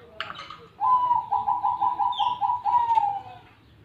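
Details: Zebra dove in full song: a brief higher note, then a steady run of about ten pulsed, mellow cooing notes on one pitch, sliding slightly lower and fading at the end, with a low background hum.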